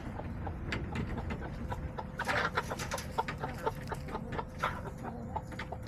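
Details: Backyard chickens on an October day, hens clucking: a busy mix of short broadband clucks and squawks, a louder burst of overlapping calls near the middle, over a steady low rumble of background noise.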